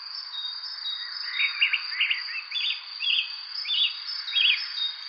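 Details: Chirping bird giving a run of brief, bright chirp clusters at fairly even spacing, each a quick burst of up-and-down notes, set against a constant thin high whine in the background.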